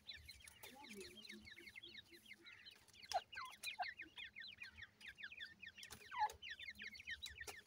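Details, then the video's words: New-season grey francolin chicks calling together, a busy stream of quick, high, down-slurred cheeps from several birds, sprinkled with sharp taps and brief lower clucks early on. "grey francolin new season new chicks"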